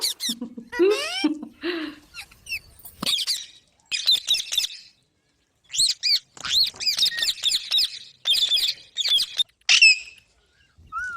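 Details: Chattering green parrots give rapid high chirps and squeaky squawks in dense clusters, with brief silent gaps and one short whistled note at the end.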